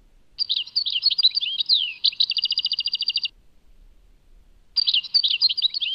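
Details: European goldfinch with the Tadmait song: a long phrase of jumbled twittering and slurred whistles becoming an even buzzy trill for over a second, silence, then a renewed quick, tinkling twitter.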